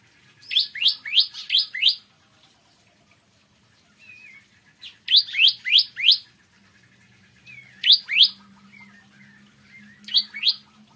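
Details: Bar-winged prinia singing in the morning: bursts of four or five sharp, upslurred chirps in quick succession, separated by pauses of a few seconds, with a few softer twittering notes between bursts.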